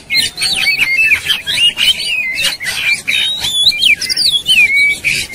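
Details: Oriental magpie-robin, fired up and aggressive, with tail opened. It delivers rapid squiggly whistled phrases packed closely together, with intermittent harsh noisy bursts, and ends on a long drawn-out descending whistle.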